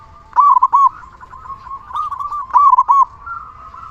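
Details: Loud, steadily singing local zebra dove used as lure song for other zebra doves. Two punchy phrases of short tumbling coos about two seconds apart, with low running coos underneath.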